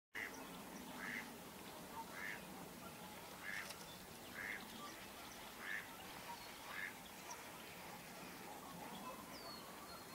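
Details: Wood ducks, seen pairing off, give short, squealing rising notes, about one a second for eight calls, with a brief thin whistle near the end, over a steady background hiss.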